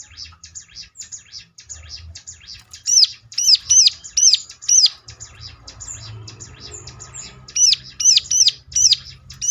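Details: Bar-winged Prinia lure song meant to set other birds singing in reply: soft high twittering, then loud hooked notes in quick series, a softer chattering spell, and another burst of hooked notes.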